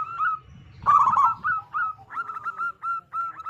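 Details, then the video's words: Zebra dove of local stock, singing loudly as a lure for other doves; a drawn coo, then a rolling trill, then a steady string of short, even, mellow notes. "Perkutut Lokal Gacor Suara Besar Pancingan Burung Perkutut Agar Cepat Bunyi"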